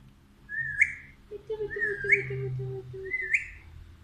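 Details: A pet talking Alexandrine parakeet, being called with "Mithu Aajao", gives three clear, rising whistled notes about a second apart, over a soft, low, stuttering murmur.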